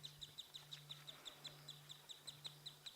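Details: Wood sandpiper (Tringa glareola) at a waterhole at sunset on 7 March 2017, alarm calling at a Wahlberg's eagle: a rapid, even series of high, thin whistled notes, about six a second, over a steady low engine-like hum.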